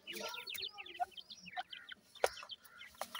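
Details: Several francolin chicks peeping: quick high descending chirps in clustered runs, with a few low soft notes and loud clicks between them.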